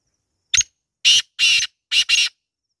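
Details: Black francolin, known locally as kala teetar: a loud, harsh, grating call of five short broadband notes over about two seconds, a single note, then two, then a close pair, on a silent background.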